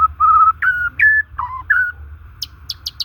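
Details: White-rumped shama, natural song used to stir stressed or non-singing shamas; long level whistles and short bent notes in a slow series, ending with four sharp high clipped notes.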